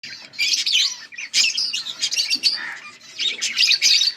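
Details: A pair of pet budgerigars chattering busily: dense, buzzy, warbling chirps and squeaks in irregular bursts with brief pauses, no other sounds.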